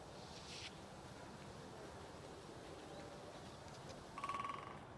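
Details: Great spotted woodpecker in a forest, beak drumming on dead wood as a long-carrying signal: after several seconds of steady background noise, one quick rattling burst of knocks near the end.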